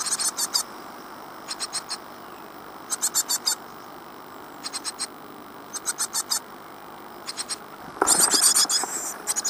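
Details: Great tit nestlings in a birdbox in Falmouth, UK, 15 days after hatching in April 2011: bursts of high, rapid, clicking squeaks in short groups every second or so, with a loud rustle and fuller chorus near the end.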